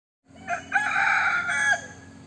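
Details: White-eared decoy junglefowl rooster crowing: a loud, harsh, drawn-out crow lasting about one and a half seconds, opening with a short note, then a sustained strained middle that cuts off sharply, with a steady low hum behind.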